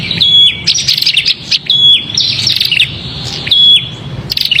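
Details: Prinia giving noisy, agitated calls, used as a lure for small birds: rapid harsh chattering bursts mixed with short steady whistled notes, in two or three bouts with brief pauses between.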